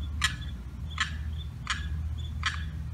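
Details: Four spaced, harsh harmonic notes about 0.75 seconds apart: distress calls of a lost Limpkin chick separated by a fence from its mother and sibling, on the 4th of July.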